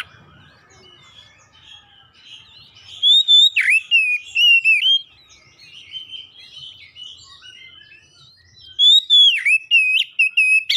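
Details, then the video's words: Oriental magpie-robin song used to rouse other magpie-robins, including house-kept ones, to sing: loud swooping whistled phrases, a long stretch of soft varied warbling, then another burst of strong whistles with sharp dipping notes. "SEKALI DENGAR SEGALA KACER LANGSUNG GACOR"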